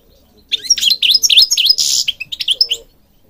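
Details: European goldfinch from Morocco giving a brief burst of song: quick V-shaped chirps and a buzzy twitter, lasting about two seconds.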